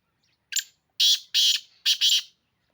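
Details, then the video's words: Black francolin from Pakistan calling: a short opening note followed by three loud, harsh, grating phrases, the last one doubled, the whole phrase lasting under two seconds against a silent background. "Kaaly teetar ki awaz black Francolin calling black Francolin sound black Francolin voice Kala teetar"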